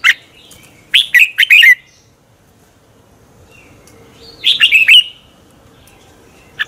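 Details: Red-whiskered bulbul singing its morning 'hót đấu' song to stimulate birds in training: a punchy phrase of four bright whistled notes, nearly three seconds of silence, then a similar quicker phrase and one last chirp.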